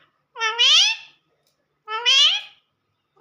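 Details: Pet talking parrot, kept indoors, asking for roti: two drawn-out, nasal, rising calls resembling a human voice, each about a second long, repeated a second and a half apart.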